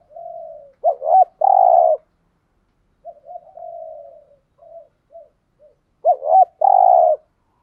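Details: Spotted dove decoy bird cooing in urging style to lure other doves: soft low coos followed by a stressed double note and a long drawn coo, the phrase repeated after a pause.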